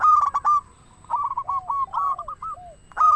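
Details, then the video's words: Singing local zebra dove, played to prompt other doves to call: staccato cooing phrases with softer, lower, gliding coos in between, then a fresh loud burst at the end. "Perkutut lokal gacor suara paling ampuh untuk pancingan burung perkutut agar bunyi"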